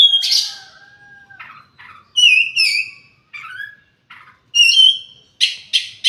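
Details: Oriental magpie-robin song: varied bright phrases of whistled notes, buzzy trills and sharp chirps, with short rich bursts separated by brief pauses and some lower sustained whistles.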